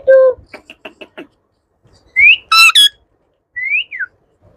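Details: Talking pet Indian ringneck parakeet among yellow, blue and green ringnecks: a short voiced word, a run of clicks, then loud rising whistles and a bright speech-like double syllable, ending with a falling whistle.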